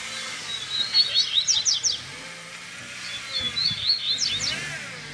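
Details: Double-collared seedeater singing in the baderna style with spirited fibra phrasing, a tutor recording for teaching young birds to sing; two bursts of fast high chirps and steep down-slurred notes, separated by a quieter pause.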